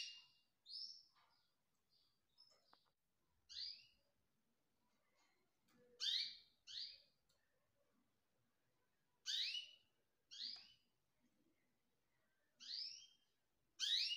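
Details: Young canary chicks from 2020 giving faint calls: short high thin notes and scattered harsh, descending squeaks in small clusters with pauses between, over near silence with a few soft ticks.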